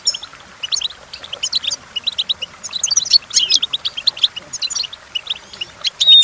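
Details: Goldfinch song intended for teaching goldfinches to sing: lively, rapid twittering phrases of high chirps and jangling notes, with a few short buzzy trills and a thin whistled note near the end.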